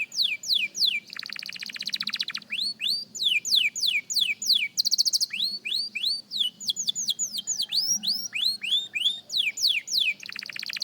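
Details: Beginner young canary practising song in a dense, continuous stream of rattling rolls and sharp sweeping whistles, phrases changing every second or two, over a faint low hum.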